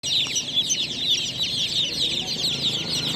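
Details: Newly hatched chicks chirping loudly at night, a dense, continuous chorus of high, shrill peeps from many birds overlapping without pause.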